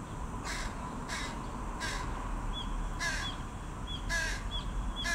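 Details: A carrion crow youngster begs its parent for food, giving five rough, noisy caws in an uneven series. Soft high chirps from small birds come in between, over a constant low hum.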